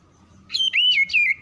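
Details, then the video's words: Oriental magpie-robin, a caged bird reacting to other song, singing a brief wavering whistle that slides and wobbles over a faint low hum. "KACER MALAS BUNYI CEPAT RESPON IKUT BUNYI"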